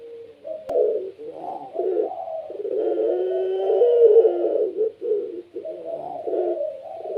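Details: A pelung Barbary dove, kept as a pet and singing tirelessly to spur other doves to coo: a click, then a stream of deep burbling coos swelling into a long sustained note and breaking into shorter repeated phrases.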